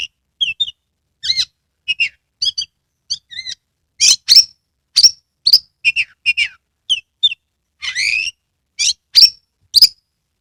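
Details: Singing Oriental magpie-robin, caged, from Kebumen in Central Java, tail fanned; steady string of crisp whistled notes and buzzy chirps repeated nearly every half second, including a long falling-rising slur near the end.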